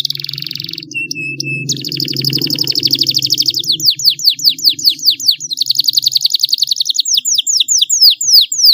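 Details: Singing canary, used as a lure to get silent canaries to sing: a rapid high trill, a brief pure whistle, then long series of fast chirps and repeated downward-sweeping notes about every third of a second, over a low background hum.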